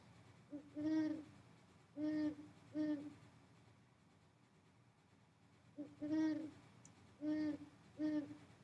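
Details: Great Horned Owl from Wisconsin: deep, soft hoots in two series of three, one longer note followed by two shorter ones, with a quiet pause between.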